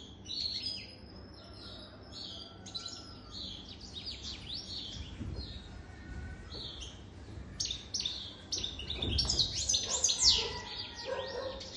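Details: Goldfinch more than three years old singing a chattering series of high chirps and twitters, softer and scattered at first, then a louder, denser tinkling burst near the end, with occasional low knocks.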